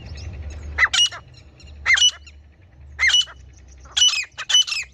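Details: Hunting-lure call of a female grey francolin: sharp paired notes, the first rising, repeated about once a second over a low background rumble.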